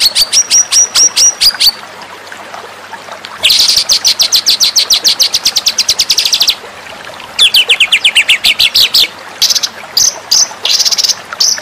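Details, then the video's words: White-rumped shama song used as a training master for contest birds: clear high whistled notes in quick series, then dense rapid trills in bursts of several seconds, with short pauses and later fast sweeping phrases. "masteran murai batu"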